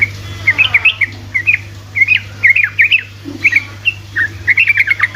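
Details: Sooty-headed bulbul, rapid 'ropelan' song meant to provoke other bulbuls to sing: bubbly, warbled phrases of short looping notes, tumbling up and down in quick clusters with brief gaps, over a steady low hum.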